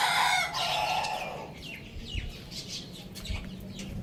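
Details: Pet rooster crowing loudly, a drawn-out, strained call that trails off after about a second and a half, followed by busy high chirping from small birds and occasional soft thumps.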